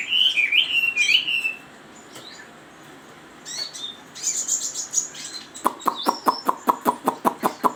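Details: Chinese hwamei song: looping whistled phrases near the start, a quiet gap, then high sweeping notes and a fast series of sharp repeated clicks toward the end.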